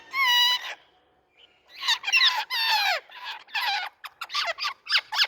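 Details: Noisy Indian talking rose-ringed parakeets: a long harsh squawk, a pause, then a run of rapid grating screeches and short sharp chips growing quicker toward the end.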